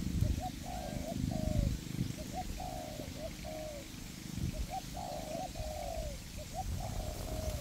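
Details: Spotted dove decoys in a forest trapping setup, a perch bird and a ground bird cooperating to attract wild doves. Regular cooing phrases of two quick notes and a drawn-out descending coo, over low background rumble.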